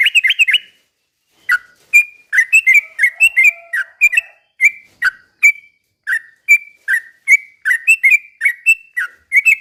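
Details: Sooty-headed bulbul singing ropel pelan, a slow rapid-fire song used as bait to make other bulbuls sing excitedly. Short bubbly whistled notes, each dipping downward, repeat about twice a second after an opening cluster, with a faint low tone beneath.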